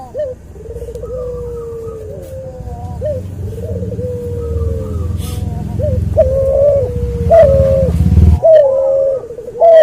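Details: Cuhu dove crossed from a white albino puter and a puter pelung, in a tutor recording, delivering a long, almost continuous string of rolling coos with rising and falling tone over a noticeable low rumbling background.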